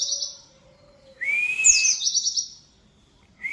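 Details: Oriental white-eye song: a high whistled note and a long clear rising whistle, then a sharp downslurred note leading into a rapid high buzzy trill, with another whistle starting at the end.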